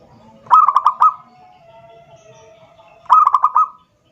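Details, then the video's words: Zebra dove sings to call a rival, a lure phrase: two repeated coos, each a fast run of sharp, evenly spaced notes blending into a brief trill, spaced about two and a half seconds apart, with a faint steady tone between. "suara perkutut memanggil lawan"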